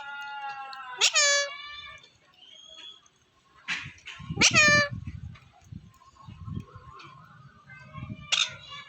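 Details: Pet parrot, a rescue bird, calling near a mango tree in India: loud harmonic squawks with descending tails at about one, four and a half and eight seconds, with low murmuring voices between.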